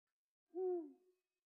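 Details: Eurasian eagle-owl giving a single low hoot, a short tonal note with a slight downward slur and faint overtones above it, against a silent background.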